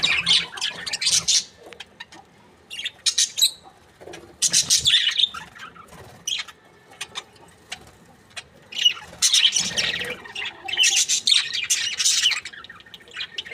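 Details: Australian budgerigar breeding pair, described as happy, heard in scattered bouts of scratchy chirps and squeaks, with longer silent stretches between groups of rapid high notes.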